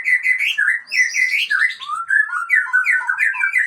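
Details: White-rumped shama of the Aceh type, called a fighter, delivering loud, fluid, warbling song: rolling whistled phrases moving up and down with scarcely a pause.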